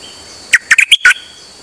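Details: Song of a Dok Taeng bird, 8 September 2023, sung nonstop on a rare trip out: a short burst of five clipped, bright chirps with a rougher final note, then quiet.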